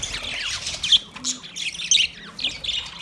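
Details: A budgie calls out to another budgie with sharp squawky chirps and quick scratchy notes in uneven bursts, a few piercing peaks standing out over a soft background hum.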